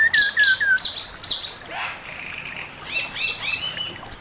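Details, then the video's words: Male Chinese hwamei singing a master song: clear whistled notes sliding downward in quick phrases, then a burst of rising, repeated bright chirps and trills, several notes per second. "Burung poksay mandarin suara masteran Poksay mandarin jantan"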